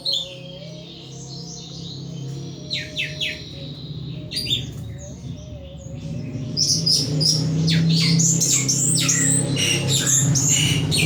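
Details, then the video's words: Caged pet thrush kept by a bird hobbyist, singing loudly and intensely; quiet start with a few high whistled notes, then a dense burst of sharp, rapid high chirps and trills over a steady low hum. "Burung Anis "Ronggeng" Ngeplong Mabok berat"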